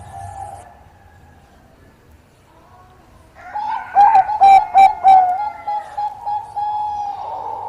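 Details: After quiet background, a Bangkok-type zebra dove sings actively to draw a rival into answering, giving five loud, ringing coos close together, then a series of softer notes.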